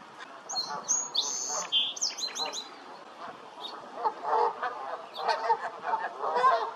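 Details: A songbird's high whistled phrases open, then Canada geese take over with busy overlapping honks and gabbling that grows louder toward the close.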